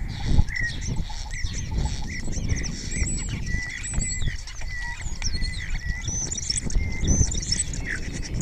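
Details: Spotless starling in Cabañeros National Park, Spain, singing close up and answered by other starlings, its repertoire including imitations of orioles, kites and other birds; thin whistled slurs and buzzy notes over a steady low rumble.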